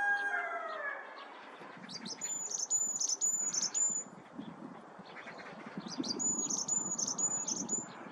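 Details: Varied tit calling: a series of very high, thin, even whistled notes repeated about every third of a second in two bursts, after the tail of a rooster's crow, with a low rumbling background.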